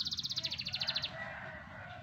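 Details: Young canary about four to five months old performing song, recorded 28 July 2020: a fast rapid-fire trill of about fifteen evenly spaced high notes lasting one second, then fading into soft background noise; a voice exclaims afterwards.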